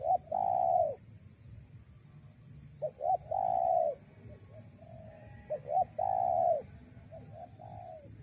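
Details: Spotted dove coo used to lure wild doves: loud long coos preceded by brief paired notes, alternating with softer single coos, repeated about three times.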